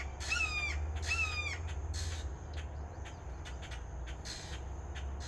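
Red-shouldered hawk giving two loud, harsh, slightly falling 'kee-ah' screams about a second apart, over a low wind-like rumble and a few scattered clicks.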